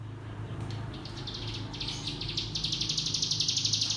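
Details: Javan white-eye (cigun) song, used as a lure to train young birds in the 'ngebrem' style: a high, rapid buzzy trill of evenly spaced notes, about four per second, growing louder and steadier toward the end over a low hum.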